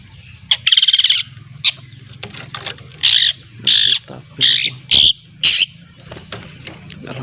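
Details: Long-tailed shrike from Lampung, a young bird learning to sing: harsh buzzy rasping bursts alternate with short sharp chips, about five loud scratchy notes in the second half, over a low background hum.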